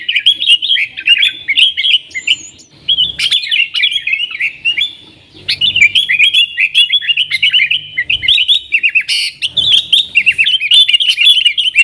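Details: Yellow-vented bulbul singing gacor nggaruda style to attract wild sooty-headed bulbuls: busy bubbling warbles in rapid bursts, two short gaps, and a few harsh clicks mixed in.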